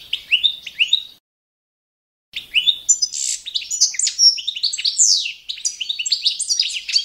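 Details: Goldfinch of the balcanica subspecies giving competition-standard song: a brief phrase of sharp chirps, a pause of about a second, then a long lively stream of high twitters, slurs and tinkling notes.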